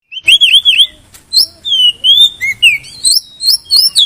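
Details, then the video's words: White-rumped shama song used to trigger other shamas to sing for contests: loud, clear whistled phrases with wavering, looping notes, long sliding whistles and quick chip notes in rapid succession. "Suara Pemicu Kacer Juara Kontes"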